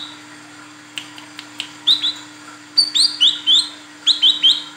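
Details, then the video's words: A calling female Olive-backed Sunbird, used as a lure to draw males, gives sharp, high, sweeping chirps, first scattered and then in quick bursts of two or three, over a faint steady hum. "SUARA PANCINGAN BURUNG KOLIBRI KELAPA WICEH BETINA GACOR MEMANGGIL JANTAN"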